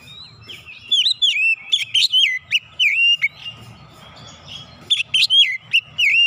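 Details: Oriental magpie-robin singing insistently as it brings out hidden fill-in phrases: a rapid stream of loud whistled notes that bend up and down, mixed with crisp clicks and brief pauses.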